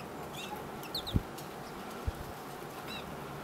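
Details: Pine siskins calling: a few short, high chirps and quick rising twittered notes, clustered near the start and again toward the end, over a steady background hiss with two dull low thumps.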